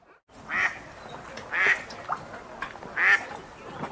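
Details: Feeding wild ducks splashing on a river in a city park; a few spaced, buzzy quacks, three louder ones and fainter ones between, over a hiss of moving water.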